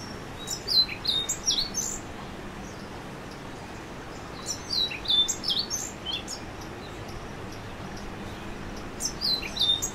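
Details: Repeated song of an orange-billed nightingale-thrush: three rapid phrases of squeaky, high, wavering notes spaced about four seconds apart, quiet between phrases apart from faint hiss.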